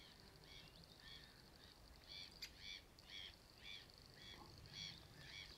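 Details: Young Eurasian spoonbills on the nest at Beuven, 4 July 2017, give high, squeaky, wheezy notes, repeated roughly twice a second in an uneven chorus, over a low rumble of wind.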